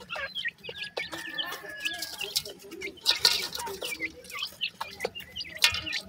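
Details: Several grey francolin chicks peep in a dense, continuous stream of thin, high chirps, some rising and some falling. Scattered rustling bursts and a steady faint hum run underneath.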